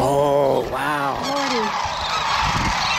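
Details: Sandhill cranes recorded 19 January 2023 at Whitewater Draw, McNeal, Arizona: a loud, close, rich rattling call that bends downward in two or three pulses, over a steady background murmur of the flock.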